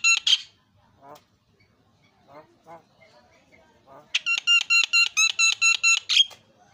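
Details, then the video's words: Javan myna, stirred into loud calling by a lure recording: two harsh, rasping screeches, quiet scratchy notes, then a fast run of about eight evenly spaced bright ringing notes closing with another harsh shriek. "KICAUAN PALING MERDU JALAAK KEBO GACOR"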